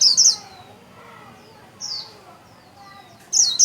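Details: Japanese white-eye kept as a cage bird, wings spread, giving short, high-pitched twittering bursts in the líu style, with silent gaps between phrases.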